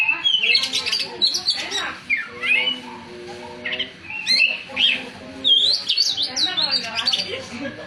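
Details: Oriental magpie-robin delivering loud bursts of whistles, squeaky notes and a long swooping downslur, separated by short pauses, with faint steady tonal sounds lower down.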